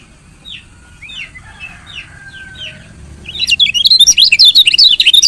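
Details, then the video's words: Female lemon-bellied white-eye chirp meant to prompt males to sing: six soft descending chirps spaced evenly, followed by a loud, rapid run of sharp twittering notes. "CIAK KECIAL KUNING BETINA"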